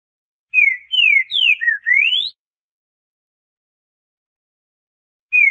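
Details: Captive green-winged saltator (trinca-ferro), southern song type: a loud, clear whistled phrase of five or six slurred notes ending on a rising note, then after a pause the next phrase begins. Green-winged saltator.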